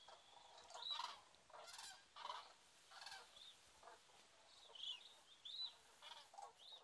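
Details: Common cranes at Lac du Der, France, in 2017, recorded from a photography hide: repeated loud trumpeting, rolling calls in overlapping bursts, with several birds calling at once.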